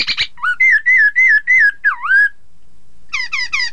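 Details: Chinese hwamei singing, used to get rival birds to join in: a short rattle, then six loud slurred whistles and a deep swooping note, a pause, and a rush of descending twitters.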